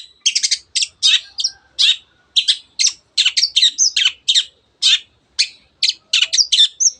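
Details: Vigorous long-tailed shrike song used as a lure to excite other birds into singing: rapid strings of harsh, scratchy high notes mixed with brief whistles, delivered in tight clusters with short gaps.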